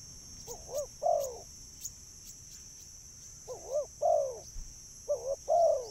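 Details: Spotted dove voice used as a bird lure: mellow low coos in pairs, a wavering short note then a longer descending one. Three pairs come about two seconds apart, with a faint steady high whine behind.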